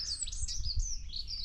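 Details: Dunnock singing outdoors in winter, 14 March 2024, a short high-pitched song likened to a wren's but much shorter: a quick, thin, twittering warble of tumbling notes, over a low background rumble.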